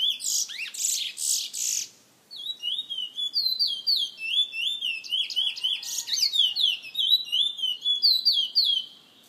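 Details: Caged bullfinch kept by a San Fernando bird lovers association member opens with buzzy, harsh bursts, pauses briefly, then pours out a long run of loud, repeated whistled slurs with rapid zigzag inflections.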